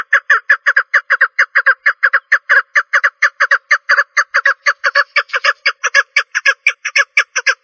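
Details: Female partridge giving a long, rapid run of raspy chuck notes, often paired, repeated about twice per second with slightly uneven spacing, nothing else audible.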